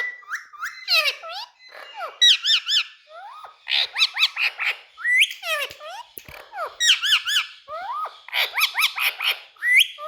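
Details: Pet Indian parrot that loves to talk, producing a busy stream of harmonic squawks, chattering notes and rising whistles in rapid bursts, with short pauses between phrases and a quiet indoor background.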